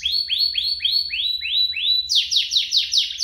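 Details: Canary pair singing, a recording for prompting caged canaries and training young ones; evenly repeated rising whistled notes, about three per second, then a quicker, higher run of sweeping notes.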